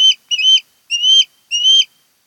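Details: Osprey at a Kent Island, Maryland nest shared by a mated pair, 10 August 2018: four loud, piercing whistled notes, each climbing slightly in pitch, spaced roughly half a second apart on a silent background.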